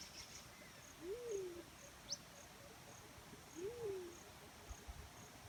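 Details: Two mellow, low-pitched coos from a black-chinned fruit dove, each rising briefly then dropping away, spaced about two and a half seconds apart, with a sharp high chirp and insect hum in the background.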